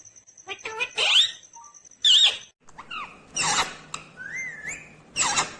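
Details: Talking Indian ringneck green parrot giving short squeaky syllables, harsh bursts and a clear rising whistle, over a faint steady hum indoors.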